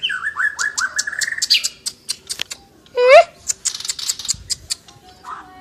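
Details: Lively song of an Asian brown flycatcher: a string of quick rising chirps, then sharp clicks, a loud upslurred whistle and a busy twittering burst.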